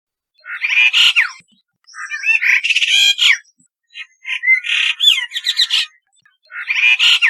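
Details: Brahminy starling, a bird of Rajasthan found around habitations, farmland and deciduous forest, gives bursts of scratchy chatter mixed with bright whistled notes, phrases about a second long repeated after short pauses; males sing during courtship display.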